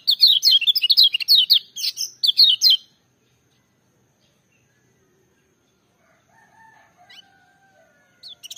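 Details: Nearly three seconds of booming, melodious song from a lemon-bellied white-eye, locally kecial kuning: bursts of fast, high, slurred twittering in tight phrases, followed by long quiet with only faint soft tones and a final short note.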